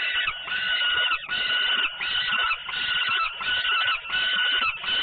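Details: Loud, strained, nasal wailing from peregrine falcons at Włocławec, Poland, 3 June 2010, as a sister comes back noisily during feeding: continuous overlapping calls pulsing about every second.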